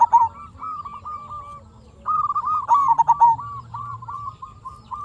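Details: Local zebra dove singing energetically, used as a lure to draw other zebra doves into answering: soft cooing phrases of quick wavering notes around one pitch, a louder burst with a sharp accented start near three seconds, faint low hum beneath.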